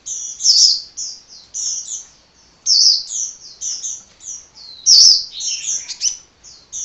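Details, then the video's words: A hummingbird sings endlessly in loud, clear, high twittering notes and squeaky chirps. The notes fall into fast, jumbled strings with brief pauses and a sharp click near the five-second mark. "Kicau Burung Kolibri Ngocehnya Ngedyan Ra Leren Leren"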